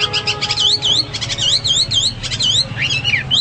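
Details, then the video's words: A Hwamei sings high, sweet whistles used as tutoring song for pet birds: repeated V-shaped notes in fast runs, with sharp clicks in between, over faint steady tones in the background. "Burung Hoa Mi gacor"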